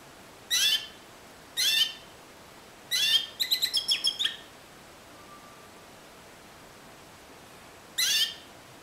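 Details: Timbrado canary of discontinuous song style: three spaced bright chirps, a quick rattle of about seven metallic notes, a long pause, then one more chirp.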